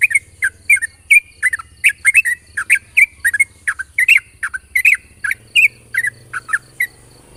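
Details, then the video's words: Long 'ropel panjang' morning song of a yellow-vented bulbul, used to lure other bulbuls into singing: a steady chattering stream of sharp, bubbly chirps, roughly two a second, over a low background rumble. "pancingan burung trucukan ropel panjang di pagi hari bagus untuk memancing trucuk bahan agar bunyi"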